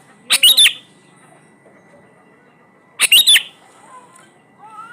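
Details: Sooty-headed bulbul lure song, played to make birds that rarely sing start singing: two short, loud, chattering bursts about three seconds apart, with faint twittering of other birds behind.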